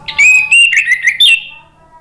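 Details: Orange-headed thrush, sung to draw a reply from a bird that has stopped singing: a short rich phrase of warbled, slurred whistles rising and falling.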